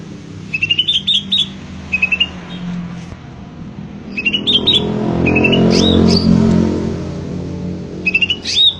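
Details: Gacor greater green leafbird: short clusters of sharp, repeated whistled chips and slurred notes, several phrases in a row, while a passing vehicle's rumble swells in the middle and fades again.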